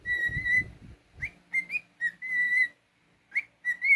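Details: Pet cockatiel whistling a run of clear, steady notes at one pitch, some held and others short and slurred upward, with brief gaps between them; low rumbling handling noise in the first second.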